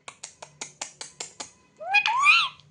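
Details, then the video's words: A pet rose-ringed (ringneck) parakeet makes eight quick, scratchy clicks at an even pace, then a rising, nasal, voice-like phrase, mimicking words such as "me too". "Ringneck Parrot Talking Video"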